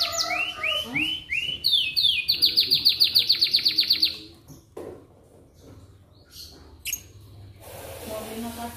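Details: Canary singing in the morning as a prompt to get other canaries singing: high sweeping slurred phrases, then a fast bright trill of rapidly repeated notes for about two seconds, followed by scattered short chips and quieter background noise.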